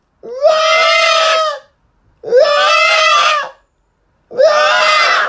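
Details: A pet macaw has a screaming competition with a man in London, England, in June 2020: three loud, harsh, drawn-out screams over a second long with a brief rising start, about two seconds apart; the man's screams may be mixed in.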